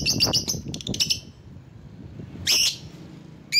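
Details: Lovebird used to summon rivals: a quick burst of shrill chattering notes, a pause, then two loud piercing squawks, with low rumbling noise underneath.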